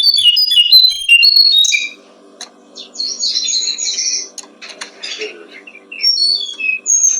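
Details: Brown-streaked flycatcher song made for training songbirds: a quick run of high, thin twittering and whistled notes, then scattered chirps and short slurred whistles after a pause, over a steady low hum.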